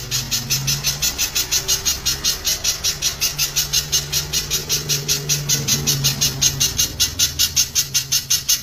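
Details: Loud spiderhunter song from a songbird training recording, in the rapid-fire 'tembakan rapat' style: a long unbroken run of short, piercing, high notes at close to three per second, with a soft low drone behind.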